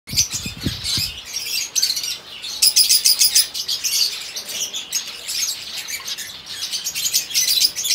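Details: Male crested yellow-beak cinnamon fawn pied zebra finch giving rapid, buzzy, nasal high chirps in irregular bursts, with a few low thumps at the start and a steady hiss behind.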